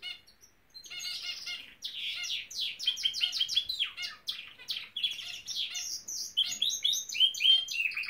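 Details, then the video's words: Caged pet Norwich canary in full song, a short quiet start followed by a fast, varied stream of high chirps, trills and sweeping notes. "Elvis the Nowrich Canary singing!"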